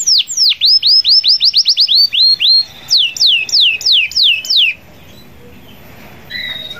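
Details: Canary in full song, a long rolling trill meant to call out rivals. High, downward-curving notes tumble in quick succession, speed shifting midway, for about five seconds, then near silence broken by one faint chirp.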